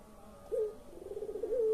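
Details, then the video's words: A collared dove of the puter pelung type, used to coax silent birds into calling, gives a quieter coo: a short rising note, a wavering tremolo, and the start of a long even hoot. "SUARA BURUNG PUTER PELUNG"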